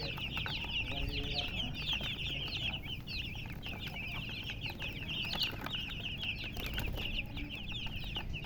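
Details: Several chicken chicks with their hen give rapid, overlapping high cheeps without pause; a faint low rumble runs underneath.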